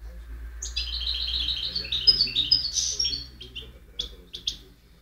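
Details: European goldfinch recorded in 2010 delivers a rapid stream of high, bubbly twittering notes with a few sharp sparkling chirps, trailing off into scattered short calls; soft low hum behind.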